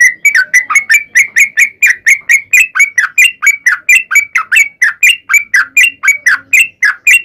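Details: Sooty-headed bulbul, a long fighting-style song meant to provoke other bulbuls into answering: a steady run of short bubbly chirps, roughly two per second, each dipping and rising, in clean quiet surroundings.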